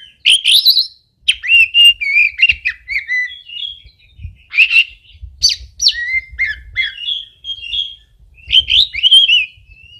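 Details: Oriental magpie-robin pouring out a long varied song of bright chirps, trills and clear whistles in quick bursts, over a soft low background hum.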